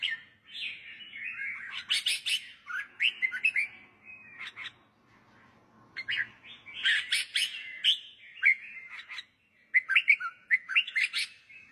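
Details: Red-whiskered bulbul song, offered for relaxed listening, for young birds to learn by singing along, or to rouse birds: short bright warbled, whistled phrases in two bursts separated by a quiet pause, with chirpy notes in between.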